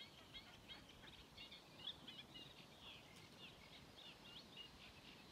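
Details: At Mingen, Njurunda, 12 June 2023, a sedge warbler delivers a steady stream of rasping chatter mixed with brief whistled and trilled notes over faint background noise.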